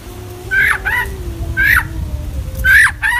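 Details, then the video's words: Harsher notes within an Oriental magpie-robin's full song: three spaced pairs of hoarse, downslurred calls, each with a strong harsh buzz, over a faint steady tone and low rumble. "kacer gacor full isian"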